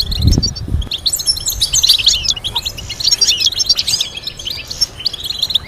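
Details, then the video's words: Goldfinch tutoring song: low knocking sounds at the outset, followed by fast, bright, jingling twitters and brief trills packed closely together. "Teaching goldfinch to sing complex stimulating melodies"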